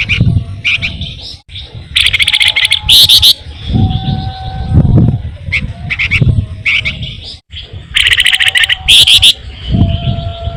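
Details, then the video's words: Flamboyan (pin-striped tit-babbler) singing in rolling, ngebren style as a songbird lure: dense high rattling trill bursts repeated every few seconds, interspersed with short clear whistled notes at lower pitch, over a constant low rumble. "flamboyan gacor paling rajin ngerol ngebren sangat ampuh buat pancingan burung kicau"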